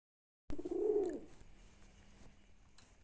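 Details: Domestic pigeon giving a single low, rounded coo that swells and fades within about a second, followed by quiet room noise.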